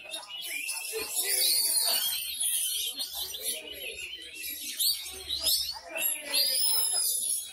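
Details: Caged Oriental magpie-robin, freshly through its moult after three months' rest, at a songbird contest in Sumedang, Indonesia; rapid high warbled and whistled phrases varying big and small, with lovebird-style shots, over voices of people nearby.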